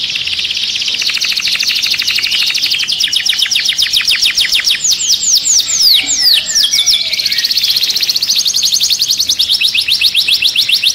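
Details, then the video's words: Canary song for stimulating birds to mate: long, rapid trills of short, even notes, broken in the middle by a string of sweeping whistled slurs, then back to a steady, high, fast trill. "تغريد الكناري لتنشيط الطيور Canto canario para activar pájaros"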